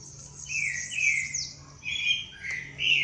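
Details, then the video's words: Birds at daybreak in nature, singing loud whistled phrases that slur downward, a high descending trill near the middle, and sharp chirps toward the end over a faint steady low hum. "pássaros cantando no amanhecer"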